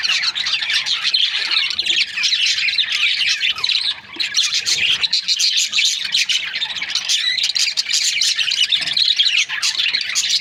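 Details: Budgerigars, Australian parrots kept as breeding pairs, chatter in a dense, continuous flock of high, scratchy chirps and warbles, many birds overlapping with barely a pause for the whole stretch.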